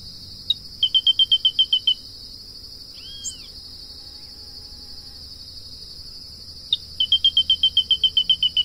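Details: Grey-breasted crake (Laterallus exilis) gives two bursts of about nine sharp, high metallic notes, each led by a single note, over a constant shrill insect drone.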